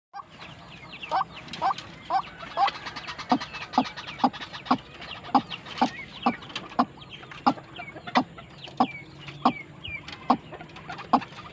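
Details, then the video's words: A tame but aggressive white-breasted waterhen calls in steady repetition, sharp notes about twice a second, while thinner high squeaks and chirps wander over the top. "burung ruak ruak jinak tapi galak"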